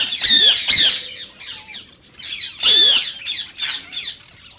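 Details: Green rose-ringed parakeet calls meant to prompt mating and singing in other parakeets: two loud piercing squawk pairs separated by quieter, clipped chattering notes.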